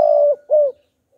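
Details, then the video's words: {'caption': 'Cooing of a decoy spotted dove used to draw out wild doves: two mellow mid-pitched coos, the second slightly falling, then quiet.'} "Chim Cu Gáy Kích Bổi Đủ Bài - Kích Là Gáy 100%"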